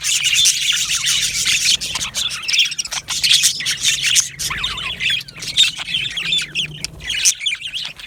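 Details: Yellow male budgerigars in an aviary produce a busy high chatter, with clear rising and falling warbled notes woven through the dense chirping.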